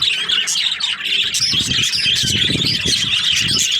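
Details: Budgerigar breeding pairs chatter in a steady, dense stream of high chirps and warbles, with low thumping and rustling noises underneath.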